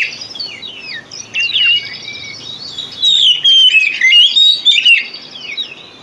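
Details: Oriental magpie-robin song played as a lure to get silent or sluggish magpie-robins singing: varied whistled phrases, rising and falling slurs and quick chattering notes, louder bursts in the second half.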